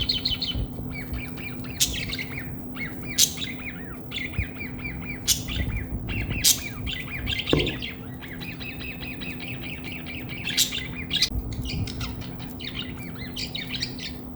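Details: Pet budgerigars bonding together chatter continuously with rapid warbles, squeaky chirps and sharp buzzy squawks.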